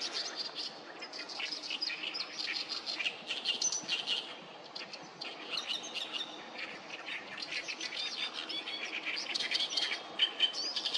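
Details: Oriental reed warblers crowd the Sawatari River with song on 7 June 2024: harsh, guttural chatters and scratchy trills from many birds pour out continuously, rising and falling in loudness.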